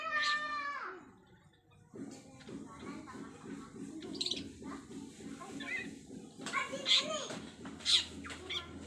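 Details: Long-tailed shrike learning fancy fill-in mimicry sounds: opening burst of stacked harmonic notes, then a quieter stretch with a low steady buzzing hum, and sharp high chirps and whistles near the end.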